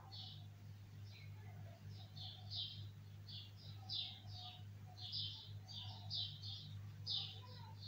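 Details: Bulbul repeating bright, high chirps about once a second, sometimes in quick pairs, over a steady low background hum.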